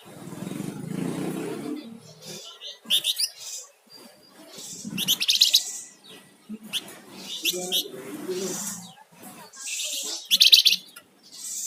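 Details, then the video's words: Flamboyan songbird in lively song: scattered high, bright chirps and short twittering bursts stand out over a low murmur of background noise and faint voices. "Suara Burung Flamboyan Gacor"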